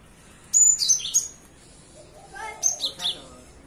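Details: Morning song of a cinereous tit: two quick clusters of sharp, very high twittering notes about two seconds apart, with a faint lower murmur between them.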